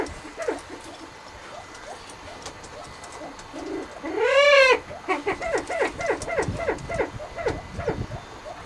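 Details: Displaying spruce grouse in Canada, home footage: a quiet stretch, then a single strong arching note, followed by a run of repeated short, downward-sweeping calls at a steady pace.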